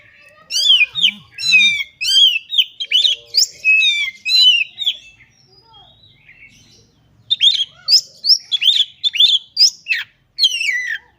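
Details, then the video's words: White-rumped shama (kacer) singing gacor with mimicked phrases: a long rapid stream of whistles, chirps and trills, a few low sounds early on, a brief lull, then another quick varied burst. "Burung Kacer Gacor Ngobra Suara Menggila Bongkar Isian"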